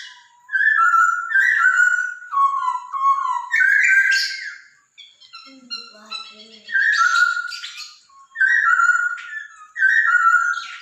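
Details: Masked laughingthrush song, used to stimulate a caged pet bird: repeated loud fluty whistled phrases, each stepping downward, with buzzy chatter between them and a brief quieter low-pitched interlude midway.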